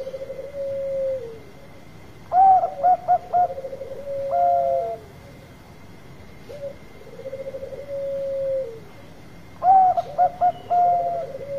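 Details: Zebra dove, Bangkok type, delivering a lure song twice: a drawn-out falling coo, then a burst of sharp clipped cooing notes ending in a long held coo, repeated after a pause, with a steady faint hum behind.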